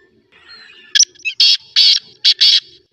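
A black francolin gives a loud, harsh phrase: a sharp opening note, then four grating, raspy bursts over about two seconds. A thin steady high tone runs underneath.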